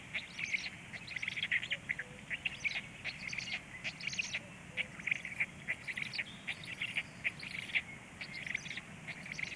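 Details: Black stork chicks at feeding time, evening at 19:13; rapid high-pitched squeaky chirps come in uneven clusters, often several voices together, with soft low rumble beneath.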